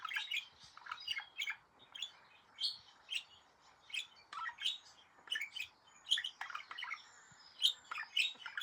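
A budgerigar warbles a busy stream of chirps, clicks and scratchy high notes in quick bursts.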